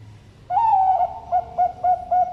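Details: Deep-voiced zebra dove at a bird farm in Sidoarjo, East Java, Indonesia, giving a long, slightly falling mellow coo followed by four short, regularly repeated hollow coo notes.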